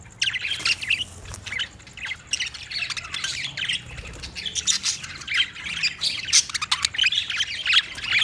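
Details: Budgies in a busy flock-like chorus of overlapping high squawks and chirps, starting softer and growing denser and louder toward the end.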